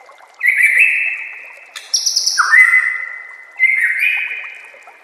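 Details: White-rumped shama master song for training birds, mixed with nature sounds and trickling water: long, loud whistled notes held level or gently falling, three phrases separated by brief pauses, with faint high overtones.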